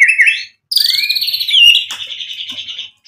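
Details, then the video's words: White-rumped shama song, played to provoke a reply from other shamas: loud, sustained whistled phrases with a brief pause, then a long wavering high note with quick ripples. "MURAI BATU GACOR memancing EMOSI bikin NYAUT ikut BUNYI BONGKAR MATERI ISIAN | PANCINGAN MURAI"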